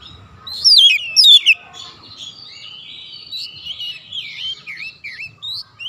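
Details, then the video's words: Oriental magpie-robin calling a companion, answered by another singing vigorously; two loud bursts of steeply swooping whistles early on, followed by a softer, continuous run of varied warbled notes. "KACER MEMANGGIL KAWAN | KACER LAIN LANGSUNG RESPON GACOR"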